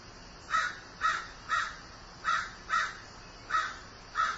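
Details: Seven loud, grating caws from a grieving crow, delivered at a fairly even pace about half a second apart.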